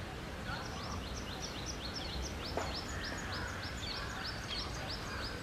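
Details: Loten's sunbird (Cinnyris lotenius) calling in the Theosophical Society Gardens, Adyar, Chennai: a quick run of thin, high, slurred chips, about four a second, over a low background rumble.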